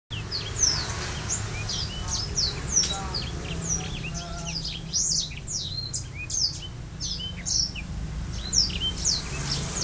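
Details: Black-throated canary of Botswana stock, rolling song while spreading its wings, sings nonstop: high, quick chirps and short sliding notes run together into a lively twittering stream, over a low steady hum.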